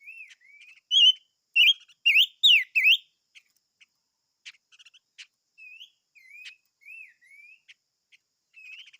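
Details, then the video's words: Silver-eared mesia singing a burst of loud, swooping, warbled whistles, followed by sparse clicks and several soft slurred whistles spaced around half a second apart over nine seconds. "Chim Ngũ Sắc Hót - tiếng chim ngũ sắc hót"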